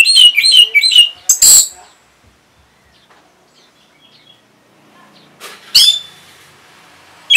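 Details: Orange-headed thrush responding to a lure call with a quick run of twittering, slurred whistles and a harsh burst. Quiet follows, then a short raspy note and chirp.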